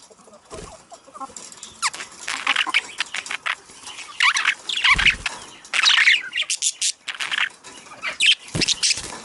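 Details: Budgies heard in a sound intended to prompt mating: scattered sharp chirps and scratchy notes that grow busier toward the end, with a few soft rustles and a low thump.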